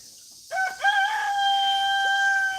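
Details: A one-eyed rooster resting in the shade on a farm crows after half a second of quiet, a loud, drawn-out cock-a-doodle-doo ending in a long steady held note.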